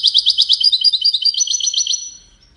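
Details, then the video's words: Widani song of the European goldfinch, played so that chicks learn it: a fast, continuous chatter of sharp, liquid twittered notes, roughly five per second for two seconds, then trailing off into quiet. "تغريد ويداني لتسميع فراخ الحسون"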